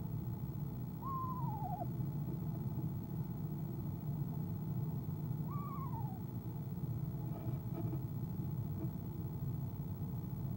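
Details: Female eastern screech owl on an owl camera, trilling in the nest box during the evening of 25 January 2015 before heading out: two wavering descending calls about four seconds apart, then faint knocks, over low hum.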